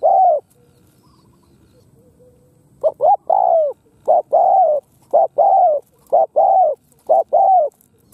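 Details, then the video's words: Khmer spotted dove giving low, hollow coos in quick paired and single notes, then a short phrase after a pause, repeated steadily; otherwise quiet. "Spotted Dove Sound លលកខ្មែរសម្លេងល្អណាស់"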